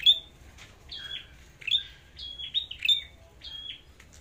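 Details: Flowerpecker singing in a song contest: thin, high, sharp notes given in short bursts with brief pauses, each a quick piercing tick sliding into a level note, over a quiet background.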